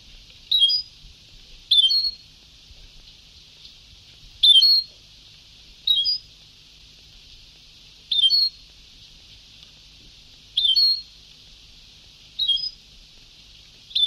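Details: Old Sebtaoui-style tape of European goldfinch song: eight brief, bright, tinkling phrases repeated every one and a half to two seconds, with steady background hiss.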